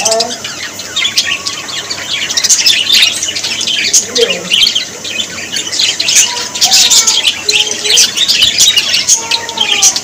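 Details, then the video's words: Budgerigars, Australian parrots said to be happy, giving a dense, continuous chorus of high chirps, squeaky squawks and warbling chatter from many birds at once, with occasional lower whistled notes threading through the steady bright twittering. "Australian parrots voice ☺️ Parrots very happy"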